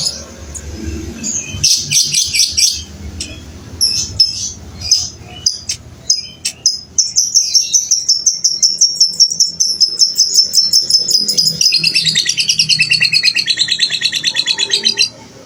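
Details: Fighter lovebird giving a long ngekek trill, used to tutor young and non-singing lovebirds: scattered sharp high chips and short rattles, then an unbroken, very rapid high-pitched chattering trill lasting about eight seconds.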